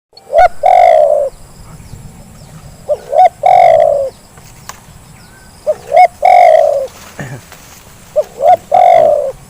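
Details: Zebra dove calls used as a lure to prompt reluctant birds to call: four phrases, each with two or three short rising coos and then a long, loud, slightly falling rolled coo. The phrases come about every two and a half seconds against faint background hiss.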